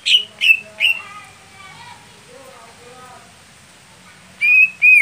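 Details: Greater green leafbird kept for song contests, described as slow to start. Three loud falling whistles are followed by soft, low warbling murmurs, then two more drawn-out whistled notes.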